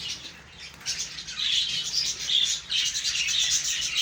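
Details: A breeding colony of Australian budgerigars chatters constantly in overlapping high, scratchy warbles and chirps.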